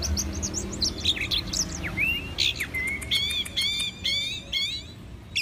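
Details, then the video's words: Orange-headed thrush song of clear whistled slurs and chirps, ending in a repeated ringing phrase of paired whistles given about once a second, with a faint low rumble underneath. "Anis merah super jos(bird sounds)"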